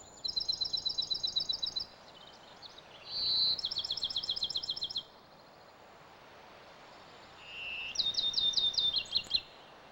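Olive sparrow giving three bursts of rapid, high, repeated chip notes, like a bouncing ball. Some bursts open with a short whistled note, with faint background hiss.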